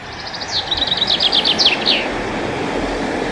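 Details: A chaffinch sings one full phrase: accelerating trill of high bright notes descending in steps and finishing with a terminal flourish, with steady low traffic-like rumble underneath.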